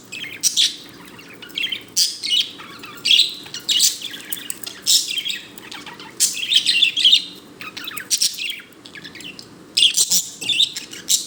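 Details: A pet budgerigar, happy and dancing, chatters in bursts of bright, scratchy chirps and warbles.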